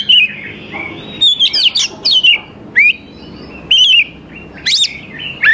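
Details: Oriental magpie-robin singing energetically, used to lure young wild birds into answering: clear whistled phrases that slur up and down, separated by short pauses, with sharp rising notes near the end.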